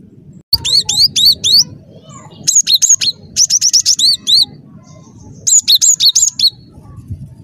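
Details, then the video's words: Cinereous tit in active song for trapping lures: a long series of rapid, high, ringing notes, each dropping in pitch, delivered in close phrases of four to six notes with brief pauses. "Suara Burung Glatik Batu Gacor"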